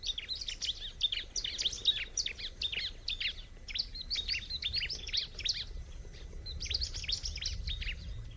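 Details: Bar-winged prinia in song: dense clusters of high, scratchy twittering notes in three long bursts, with a brief pause between them and a soft low rumble underneath.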